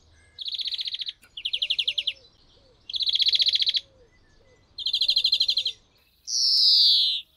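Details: Song of a European greenfinch: four rapid, rattling buzzy trills, each under a second, separated by short pauses and ending in a loud descending wheeze. Soft lower-pitched notes sound between the trills.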